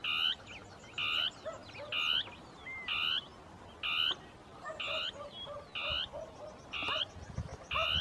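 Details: Dusky tapaculo (Scytalopus fuscus), a bird seldom seen but often heard in thickets, with two birds interacting in territorial song; long series of regular nasal notes about once a second, plus softer chirps and whistles behind.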